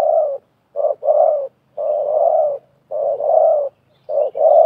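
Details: Wild spotted dove and decoy spotted dove contesting with calls during trapping. Low, rounded coos come in paired bursts, a short note followed by a longer, drawn-out one, separated by brief silences.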